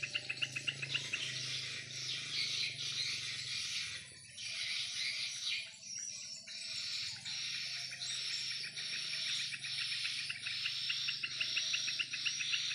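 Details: Many swiftlets playing in the air above a swiftlet house in the afternoon keep up a loud, unbroken mass of high chirps and twitters, dipping briefly twice, with a low hum in the background.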